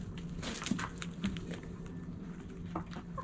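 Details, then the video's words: Backyard hens at sunrise, clucking softly in short, irregular notes against a steady low hum and scattered clicks and rustles. "Backyard Chickens Morning Sunrise Long Video Sounds Noises Hens Clucking Roosters Crowing!"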